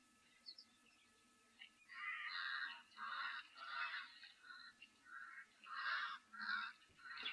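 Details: Pied crows at Etosha's Okukuyu waterhole on a clear, breezy morning, 30 December 2023, some on the opposite bank, give a run of harsh, hoarse caws, about a dozen in six seconds, before an elephant chases them. Faint other birds call behind.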